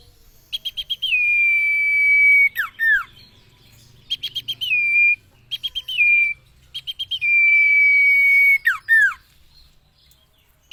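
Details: Common iora, recorded as training material for caged birds. Bursts of four to five chips each run into a sustained level whistle, sometimes long and sometimes brief. Most whistles end in two plunging slurs.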